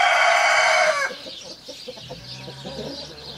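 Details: Crow of a giant Brahma rooster at a farm: a loud, rich, strained note lasts about one second, then cuts off, leaving soft low clucking and faint background birds.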